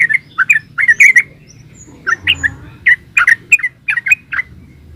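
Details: Yellow-vented bulbul (trucukan) singing in the lively 'gacor ropel' style: bubbly, warbled two- and three-note phrases, mid-pitched and slightly scratchy, delivered in quick bursts about every half second, with a faint low hum underneath.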